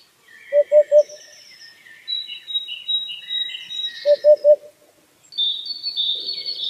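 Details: A white-breasted waterhen in the wild gives two quick bursts of three hollow, mid-pitched notes, about four seconds apart, while thin, high whistles and trills from other small birds run behind.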